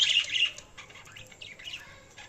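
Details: Budgerigars chirping: a loud, bright warbling burst opens, followed by shorter scattered squeaky chirps and twitters that fade toward the end.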